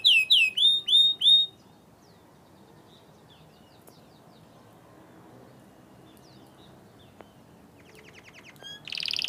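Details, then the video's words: Carrot-coloured canary singing: a quick run of four bright, high, swooping whistled phrases, each rising then dropping, repeated at an even pace for under two seconds. A long near-silent stretch follows, then faint clicks and a brief buzzy burst at the end. "Canário cenourinha, cantarolando."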